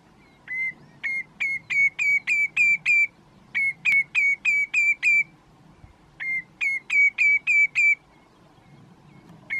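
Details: Common redshank perched on a post in Groninger Landschap, the Netherlands, its call said to sound like its own Dutch name, tureluur; clear high whistled notes with sharp starts in rapid runs of six or seven, separated by short pauses.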